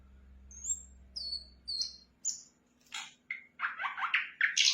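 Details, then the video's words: Sikatan londo flycatcher starting with thin high whistles spaced apart, over a low humming drone, then building into quicker chirps and buzzy, scratchy phrases. "Sikatan Londo Gacor"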